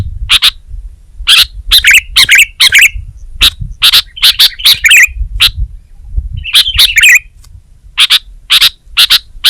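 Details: Energetic Sooty-headed bulbul song of clicking chip notes in bursts and pauses, with a couple of rich, wavering warbled phrases between them and faint low noise.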